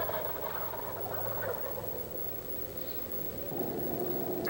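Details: Wild turkeys gobble in Stephens State Forest, south-central Iowa, giving a rapid throaty rattle of bubbling notes that rolls on over a steady background hiss.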